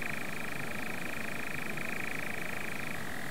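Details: On a heath in Norfolk a European nightjar keeps up an unbroken rapid churr, a dry reeling purr that steps slightly lower near the end, with low wind-like rumble underneath.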